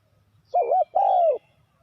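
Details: A spotted dove calls as a lure for wild doves in trapping, giving a wavering double-humped coo followed by one long smooth falling coo, mellow and clear over a faint low rumble.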